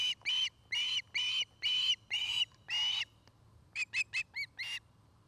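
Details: Osprey calling from its nest in Charlo, Montana, one of a pair building a new nest; six drawn-out whistled notes are followed, after a pause, by four quick, shorter chirps.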